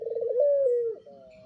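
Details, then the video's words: Puter pelung dove, a caged breeding adult: a rapid rolling coo that flows into a drawn-out, smooth, slightly descending note, followed by a softer, fainter tone. "Puter Pelung "BAGONK" Induk-an | Suara Gacor"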